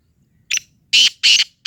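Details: Black francolin, known locally as Sindhi teetar, giving a short, harsh, scratchy call of three rasping notes, a faint one followed by two loud ones in quick succession, over a quiet background.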